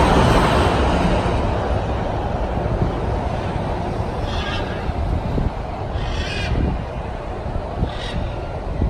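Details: A blue-and-yellow macaw gives a few harsh, raspy squawks about two seconds apart over heavy low rumbling wind or traffic noise.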